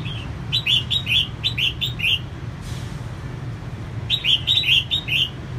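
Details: Energetic female red-whiskered bulbul, employed to stir males, pours out rapid runs of bright warbling notes, a pause, then another run of four to five notes, all above a low background hum.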